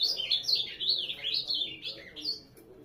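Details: Short ultramarine grosbeak phrase of quick, tumbling high notes slurring up and down, with one deeper dip near the end before the song trails off.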